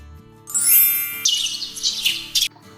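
Sparrow chirps: a bright, high falling note, then a quick run of harsh, scratchy chirps. A faint steady hum sits underneath.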